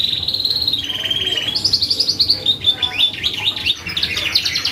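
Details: Canary song meant to provoke a reply from other birds: a sustained steady high roll that drops slightly, followed by quick warbling, jumbled high notes and trills.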